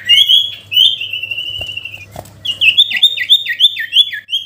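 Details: Sooty-headed bulbul calling a rival, natural-sound recording: bright whistled notes lead into a long, steady whistle, then a pause and a quick series of clipped, chirpy, descending whistles repeated several times, over a faint low hum.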